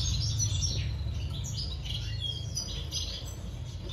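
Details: Breeding society finches twitter in quick, slurred high chirps, a burst of several notes early then softer scattered ones, with a continuous low hum underneath.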